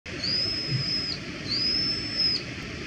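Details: Brown-eared bulbul calling: two long, high, thin whistled notes, each rising briefly then held steady for about a second, with a soft hiss of background noise.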